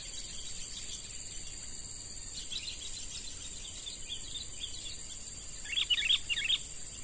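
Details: A young wild sooty-headed bulbul, caught by luring and now being trained as a lure bird. Late in the recording comes a short burst of bright, chirpy notes, over a steady high insect drone.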